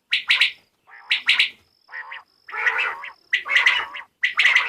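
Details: A female quail gives a call used for quail hunting in Pakistan: harsh, raspy, gargled bursts, about seven short notes in under five seconds at uneven spacing, with a thin high whine faintly behind.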